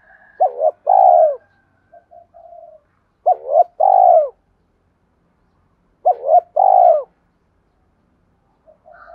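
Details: Repeated spotted dove cooing meant to stimulate decoy birds during training: three phrases about three seconds apart, each two rising hoots and a long falling coo, with short soft notes in between.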